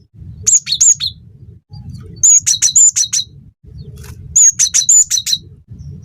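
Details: Cinereous tit in full song for teaching and luring other birds to sing: three bursts of piercing high notes, each a clear whistle followed by rapid ringing chips, over a constant low rumble.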